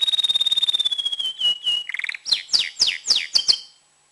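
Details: An excited, tamed male canary singing to prepare females for breeding. A fast pulsed whistle drifts downward, followed by a short buzz and several loud, steeply falling swept notes.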